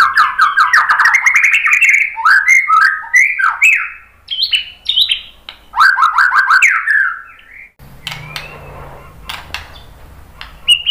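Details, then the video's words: White-rumped shama song used to provoke other birds into singing: a quick cascade of rich, falling whistled notes, then varied slurred phrases, ending in scattered sharp clicks over a low hum. "Kicauan MURAI BATU bikin NYAUT ikut BUNYI GACOR BONGKAR MATERI ¦ PANCINGAN MURAI"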